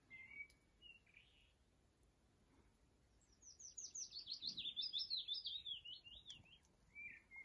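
A willow warbler sings a sweet, liquid phrase of about a dozen notes that tumbles down the scale, with a few thin whistles before and after.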